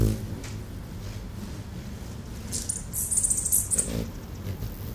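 A hummingbird gives a quick cluster of very high, thin squeaky chips lasting about a second, over a steady low rumbling background.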